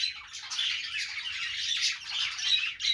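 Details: Perched budgerigars warble: a rough, squawky stream of high chirps, with a few thin whistled notes cutting through near the end.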